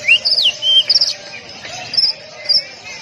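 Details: Caged-bird training song of the Oriental magpie-robin, tight-shot delivery: a rising whistle, a looping high phrase and a level note, a quick cluster of sharp notes, then quieter high chirps and a faint steady tone.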